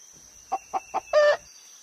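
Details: Hen living on a farm, clucking: three brief evenly spaced clucks about a quarter second apart, followed by a longer, rougher drawn-out squawk; faint steady high-pitched hum in the background.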